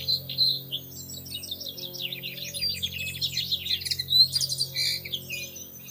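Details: At their nest in a plum tree in early May, a nesting pair of Bushtits gives rapid, high-pitched twitters and thin chips in busy runs, with a constant low hum underneath.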